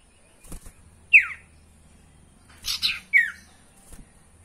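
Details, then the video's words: Sirtu calls played as a lure to get caged birds singing: two sharp, downward-slurred chirps about two seconds apart, with a brief scratchy burst between them and soft clicks in the background. "PANCINGAN SUARA SIRTU PALING AMPUH"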